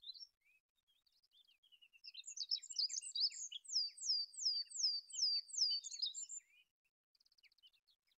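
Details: Song of the olive-backed pipit: soft scattered notes build into a loud high trilling series of about a dozen sharp downslurred, sweeping whistles, then fade to faint rapid ticking.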